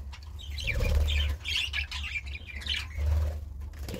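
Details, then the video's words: Budgerigar chirping in a series of short, warbling bursts of high notes, with a steady low rumble and fluttering sounds underneath. "Budgie Sounds"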